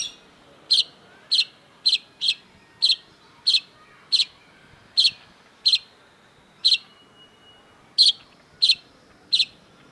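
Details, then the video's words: A long-duration masteran recording of long-tailed shrike (cendet): clean, sharp, scratchy notes repeated about every half second to second against a quiet background. "cendet gacor MASTERAN CENDET DURASI PANJANG || Long-tailed Shrike"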